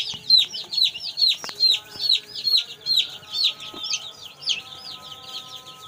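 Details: Day-old kroiler chicks on a farm peep loudly: clear downward-slurred high chirps repeated about twice a second, fading toward the end, over a low steady mechanical hum and occasional knocks.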